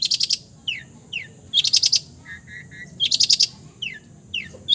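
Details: Long-tailed shrike, known for copying other birds' voices, repeats loud buzzy rattled bursts about every one and a half seconds, interspersed with falling slurred whistles and soft paired lower notes.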